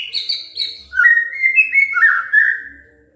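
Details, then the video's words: Oriental magpie-robin song used to draw other magpie-robins into singing: quick high chips, then a run of clear, sliding whistles that fade out. "SIULAN MURAI BATU INI SANGAT EFEKTIF SEBAGAI PANCINGAN MURAI BIAR GACOR"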